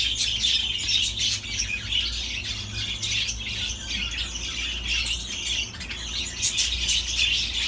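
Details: Chattering budgerigar song of rapid chirps, clicks and scratchy squawks, about two or three notes a second, with a low hum throughout.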